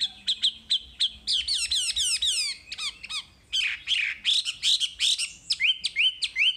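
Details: Wambi singing a masteran full-material song: rapid, varied high chirps and downslurred whistles, some in quick trills, others sharp and squeaky, delivered in an unbroken jumbled stream with little pause.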